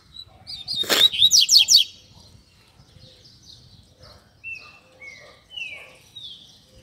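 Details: Caged double-collared seedeater song for training young birds in the Tui Tui Zel Zel style: a burst of rapid high trilled notes, then spaced clear whistles sliding downward, with faint background noise.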